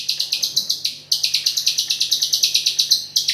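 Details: White-rumped shama singing continuously, with 'ak47'-style filler: rapid bursts of sharp, high chirped notes, about six per second, with brief pauses between bursts and a faint low steady hum beneath.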